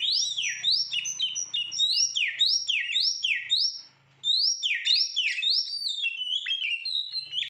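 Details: Agitated young white-rumped shama fanning its tail, delivering a dense run of loud whistled and swooping notes, some sliding down, with a brief break midway; a faint low hum is heard at times.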